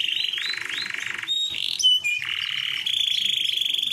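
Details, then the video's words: Male AF canary in full song, meant to draw a female: rapid buzzy trills at a steady high pitch, broken by a few sharp whistled notes, then another long pulsing trill. "KENARI AF GACOORR PASS BUAT PANCINGAN KENARI BETINA"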